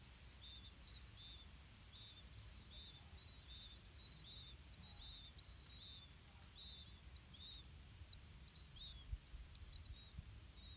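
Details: At a Blue-winged pitta nest, the parents deliver earthworms to growing chicks. A busy run of high, thin whistles, many arched or downslurred and often doubled, pours out almost continuously over low background noise, with a faint click near the end.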